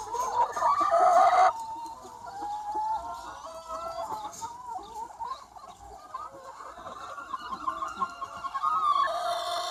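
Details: About 200 free-range chickens on a sunny spring day, a loud harsh squawk at the start, then a continuous murmur of clucks and drawn-out calls from many birds.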